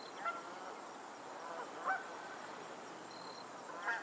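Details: Honking of geese on a lake in Pennsylvania, three separate nasal honks about a second and a half apart against a constant low rushing background.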